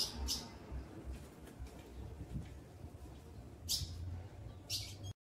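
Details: Female ultramarine grosbeak, a kept bird, soliciting mating and ready to breed, gives a few short, sharp high chirps spaced by pauses, two near the start and two later, over low background hum.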